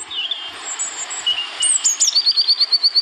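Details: A European robin in Wales, United Kingdom, 2014, sings high, thin whistled notes that slide up and down, then ends on a quick even trill of about a dozen bright repeated notes, over a soft background hiss.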